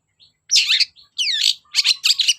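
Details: Long-tailed shrike kept as a songbird, singing as a lure to make reluctant shrikes sing: short harsh chattering bursts, a clear downward-sweeping whistled slur, then rapid scratchy notes, with brief pauses between phrases.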